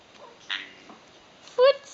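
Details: A male pet eclectus parrot talking indoors: a brief breathy syllable, then a loud, short, voiced word-like call with clear stacked harmonics near the end. There is quiet room background.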